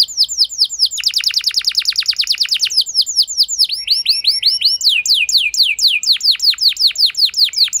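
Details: Canary in long song, meant to coax a less eager canary into singing: repeated down-slurred notes, a fast rolling trill, then looping rising-falling whistles repeated several times a second.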